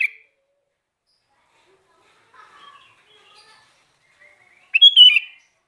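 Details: Lively sooty-headed bulbul: a short loud note, a few faint, scattered warbles, then one bright, rolling whistled phrase that rises and falls, about half a second long, in an otherwise quiet setting.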